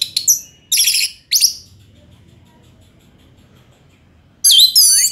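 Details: Short bursts of Orange-headed thrush song: three quick buzzy, rattling phrases, then a long gap of quiet hum before a final twisting whistled flourish.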